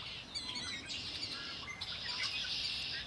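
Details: Bird chorus at Lake Erie, rapid high chirps and twittering trills run together into a continuous busy stream of song.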